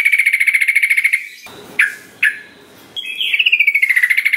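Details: Sooty-headed bulbul song used to lure quiet birds into singing: a fast, even trill of repeated notes, then three sharp downslurred notes and a quick descending trilled phrase.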